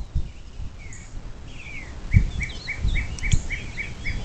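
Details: Bald eagle at a nest on the Little Miami River near South Lebanon, southwest Ohio, USA, recorded by nest camera on 26 April 2024 at 07:02: about nine short, high chirped notes in a quick, even series, with other small birds chirping and low background rumble.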